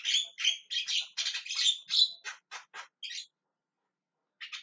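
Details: Javan myna calling loudly with a fast stream of harsh, rasping squawks that shortens into clipped, clicky notes, then silence before two more brief calls.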